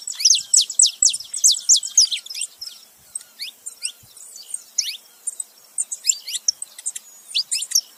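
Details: A saffron finch pair, male with female, opening with a fast dense burst of high falling chirps, then quieter scattered calls and renewed chatter near the end.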